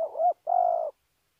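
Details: Spotted dove from Kon Tum, Vietnam, giving a short two-part coo: a wavering low note, a brief pause, then a longer steady hooting note. The background is quiet.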